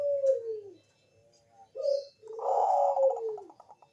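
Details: Zebra dove, Bangkok type, giving a lure song to set other doves singing: falling soft coos, then a short louder stuttered phrase ending in a drawn-out descending note.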